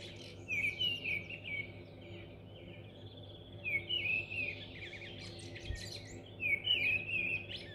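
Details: Mistle thrush in North Oxfordshire, May 2020, singing short, fluting phrases of clear whistled notes, about one phrase every three seconds with pauses between, over a faint background hum.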